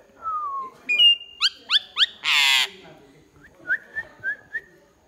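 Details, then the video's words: Pied myna singing: a descending whistle, then a high flat whistle, three quick rising slurred notes, a loud harsh rasping burst, and several short level whistles near the end. "Chim cưởng hót cực hay"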